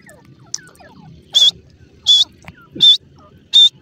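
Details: Female grey francolin, locally called gora teetar: four loud, shrill, clipped notes at steady intervals of under a second, each a sharp high burst with a whistled core. Faint softer chirps and low rustling sit between them.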